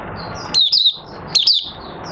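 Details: Caged oriental white-eye singing in the open after three months of night training with its cage cloth off. Two short phrases of high, downward-slurred whistles stand out over steady background hiss.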